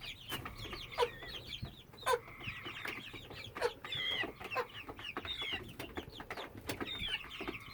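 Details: Ten- to twelve-week-old hen producing a persistent sound that started May 22, 2017; flat, held tonal notes alternate with rapid twittering chirps and occasional loud clicks from the surroundings.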